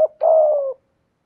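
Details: Decoy spotted dove with a prized 'giọng thổ' voice; one brief low note, then a sustained, steady, slightly rough coo lasting about half a second before fading out in a quiet room.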